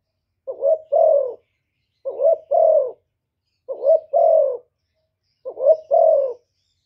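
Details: Spotted dove cooing in the 'thổ thúc' voice to provoke wild rivals. Four low, mellow phrases repeat about every one and a half seconds, each a short rising note followed by a longer descending coo, in stillness.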